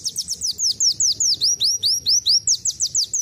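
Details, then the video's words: Kolibri wulung (black sunbird) with canary-style song: a steady flow of loud, high, swooping whistled notes, several per second, mixing rising and falling slurs in a lively canary-like pattern. "akhirnya isian burung kenari masuk .KOLIBRI WULUNG RASA KENARI"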